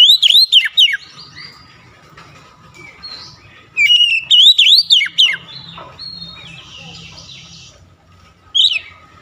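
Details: Oriental magpie-robin song with repeated whistled phrases of arching slurred notes, separated by pauses holding softer scratchy twitters and a steady faint tone, a short bright burst at the end.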